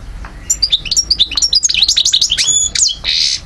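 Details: European goldfinch singing in Algeria, 2012: a quick chain of liquid, bouncing high notes closing with a harsh buzzy rasp.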